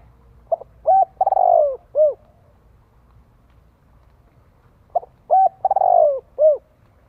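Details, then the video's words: Spotted dove repeating its cooing phrase twice, about four seconds apart; each phrase has a brief opening note, a rolling stutter into a long descending coo, and a closing hollow coo, with little else audible. "Tiếng chim cu gáy tập bổi"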